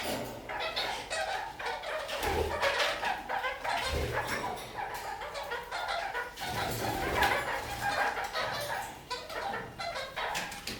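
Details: Singing kakariki, climbing upside down along a ceiling, give a dense, continuous stream of harsh chattering notes and scratchy trills, loud throughout with a few brief low thumps.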